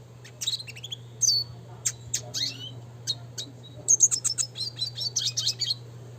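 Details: Energetic classic red siskin tutor song for training: sputtering high chirps and short buzzes, then a fast rolling twitter of dense trilled notes in the second half, with low background hum.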